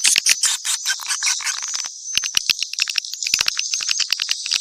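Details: Mixed swiftlets give a loud burst of overlapping twitters, then a thinner high trill broken by sharp isolated clicks.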